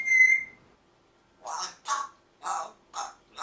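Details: Parrot demanding steak, opening with a bright whistled note, then after a pause five rasping, throaty squawks spaced roughly half a second apart.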